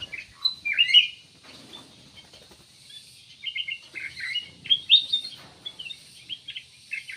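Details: Kutilang emas, also called cucak emas, giving a lively string of quick chirps and slurred whistles, a loud cluster at first, a pause, then a fast run of varied notes.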